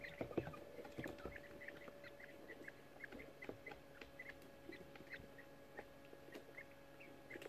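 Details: Eighteen-day-old young quail, first hatchlings, huddling in a brooder box; soft short chirps near mid-high pitch repeat rapidly and irregularly, several overlapping, with low shuffling and scratching noises and a steady background hum.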